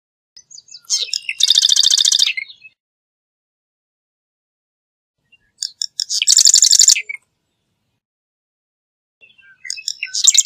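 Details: Three bursts of marsh wren song, each a few ticking lead-in notes rushing into a dry, fast, rattling trill about a second long, separated by silence.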